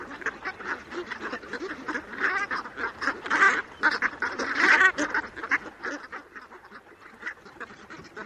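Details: Brant geese gabbling in a busy chorus of short rough calls, swelling to louder honks in the middle before fading to softer chatter.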